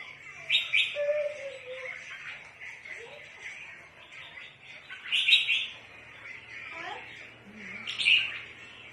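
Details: Red-whiskered bulbul kept for bird trapping: loud, squeaky chirping bursts recurring every few seconds over a low hum, with a few fainter lower whistles between them.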